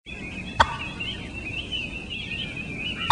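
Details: Turkey giving two sharp, abrupt putt notes, one early and one at the very end, set against a steady high hiss of background noise.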